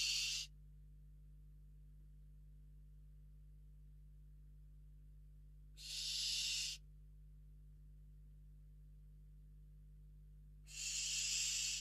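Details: A Western barn owl inside a nest box in Riet Vell reserve, Ebro Delta, Spain, gives harsh, breathy hissing screeches, each about a second long, three times over twelve seconds, over steady electrical hum; an unringed intruder female entered the box.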